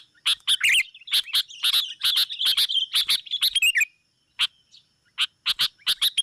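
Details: Sooty-headed bulbul calls used for luring rival birds: an energetic stream of loud chips and warbling slurs for about four seconds, then a short silence and scattered sharp notes.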